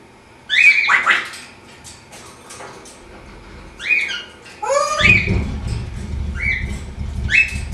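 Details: An African grey parrot in its cage during morning exercises, doing flips and talking: rising whistled word-like phrases and squawks come in separate bursts, followed by a steady low rumble from about five seconds in.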